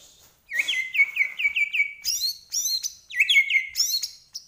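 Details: Medan white-rumped shama in vigorous song full of imitations: rapid repeated whistled notes in a rolling series, alternating with high sweeping phrases.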